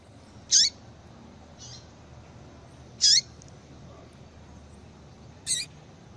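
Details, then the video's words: Female yellow-bellied seedeater calling to bring a male into breeding condition: sharp high chirps roughly every two and a half seconds, with a softer faint note between the first two, over low background hum. "fêmea de coleiro baiano chamando Muito Para Esquentar coleiro baiano"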